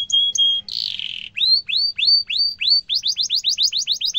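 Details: Canary singing sharp rolling trills, used as tutor song for young canaries to copy: two steady high whistles, a harsh buzzy note, then upswept chirps about three per second, speeding into a faster rolling trill.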